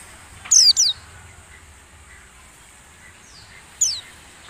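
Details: Lure song of a white-eye used to train caged birds while they are set out for morning dewing: a quick pair of sharp, high, falling whistles near the start, then one more about three seconds later, against a constant thin hiss.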